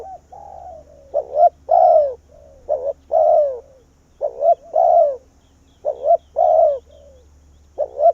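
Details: Cu gáy, a spotted dove kept as a decoy to draw wild doves close, repeats its three-part coo: two short notes then a long falling note, phrases about every one and a half seconds.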